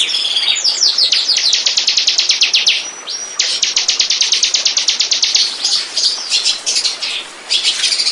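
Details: Lure recording of a bar-winged prinia for attracting birds: fast, loud strings of high ticking notes repeated several times a second, with a brief thin whistle between phrases and scattered chirps.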